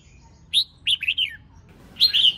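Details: Female red-whiskered bulbul singing to stimulate males, a short chirp followed by a warbled phrase of slurred whistles and another rapid burst at the end.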